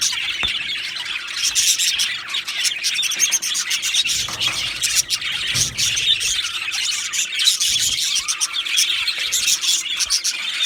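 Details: Continuous busy chatter from two male budgies: overlapping high twittering, squeaks and rasping notes forming an unbroken warble throughout.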